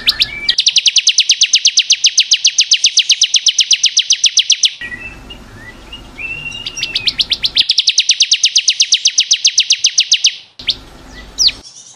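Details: Bar-winged prinia, ciblek kristal, singing for a caged-bird training recording: long fast trills of sharp high notes, about four each second, broken by short whistled slurs and chirps, then the trill resumes.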